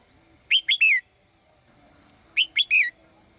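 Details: Female bird singing in a cage to call a male, delivering two three-note phrases about two seconds apart, each of quick upswept chirps ending in a longer falling whistle.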